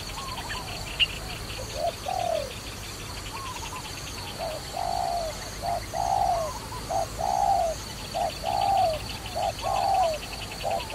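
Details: Dove cooing in a trapping setting, short-long phrases repeating steadily about once a second, while a pulsing insect trill and a sharp click sound in the background.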